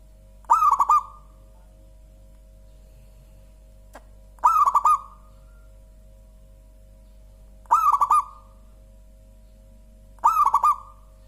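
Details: Four repeated phrases from a local zebra dove, its voice called clear, soft and rich: each is a bubbling run of staccato coos ending in a short hum, spaced about three seconds apart, with a faint click between.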